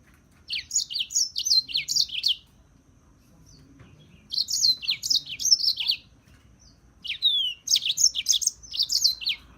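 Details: Three separate bursts of European serin song, each a quick, glittering run of very high, scratchy notes, with quiet gaps of about two seconds.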